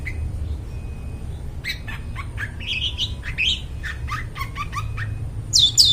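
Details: Long-tailed shrike singing clearly for luring forest birds: a quiet opening, then a varied run of rising and falling whistled slurs and chattering notes, with a sharp high burst at the end over a low background hum.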